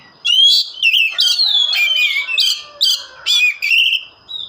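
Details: Oriental magpie-robin singing actively: loud, clear whistled phrases, some sliding down and others rising, repeated in quick bursts about every half second with brief gaps, and a faint steady high tone in the background.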